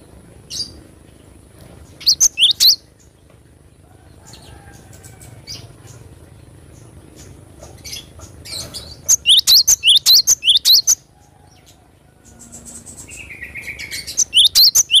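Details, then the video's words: Cinereous tit singing in short spaced bursts of quick, piercing two-note phrases with rising chirps, separated by long quiet stretches holding faint background noise and a thin steady high tone. "Glatik batu gacor suara asli alam extrime"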